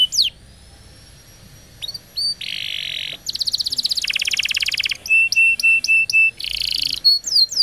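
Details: Training song of a canary, played to young canaries and to birds that have stopped singing: scattered chirps, then a buzzy block, long fast rattling trills, a series of steady whistled notes and a closing buzz.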